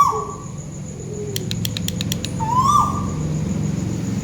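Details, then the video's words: Single whistled call from a tuwu bird above, in Malaysia, a level note lifting then dropping steeply, preceded by a quick series of sharp clicks and set against strong low rumbling noise. "Burung tuwu malaisia lagi bunyi diatas"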